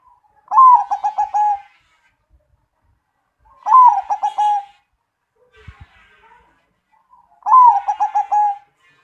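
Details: Repeated crocing song of a big-voiced zebra dove: three loud, near-identical phrases about every three and a half seconds, each a bright lead note, rapid pulsed coos and a lingering tail, with one soft knock.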